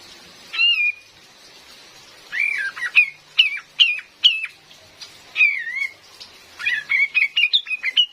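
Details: Female cream-vented bulbul call for luring birds in forest: clear, bubbly whistled notes, first isolated, then quick runs of short rising and falling chirps in clusters, with soft rain in the background.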